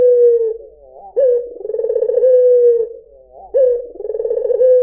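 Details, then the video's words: Barbary dove, white form: two full low coos, each starting with a quick rising note before a long vibrating, purring stretch that glides down, the phrases about two and a half seconds apart. "SUARA PUTER PUTIH || JERNIH 3 DETIK LANGSUNG NYAUT || SUARA BURUNG PUTER MERDU"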